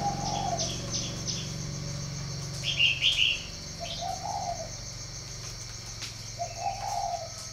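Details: Spotted dove from a breeding farm in Ba Vì, northern Vietnam, giving short low hoarse coo phrases near 0.3, 4.2 and 6.7 seconds, with a steady low hum, brief higher chirps from other birds and a constant high insect drone.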